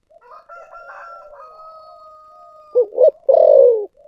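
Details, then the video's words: Spotted dove cooing, 'thổ sấm' voice: after a stretch of soft background tones, two short coos lead into a long, loud downward-sliding coo, then a brief quiet note. "cu gáy giọng thổ sấm"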